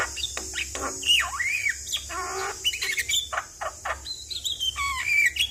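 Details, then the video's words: Javan myna, described as stressed and fluttering excitedly while singing actively, in a recording meant to be played routinely to prompt other birds. A varied run of harsh squawks, short chirps and clear whistled notes that rise and fall, over steady high hiss. "Burung Jalak Stres Grabakan Coba rutin Kasi pancingan Suara Jalak Kebo Gacor"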